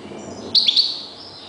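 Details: Kept European goldfinch, one of the owner's decoy birds (reclamo), giving a brief, bright, high-pitched twittering burst of two or three quick notes, with a faint low rumble in the background.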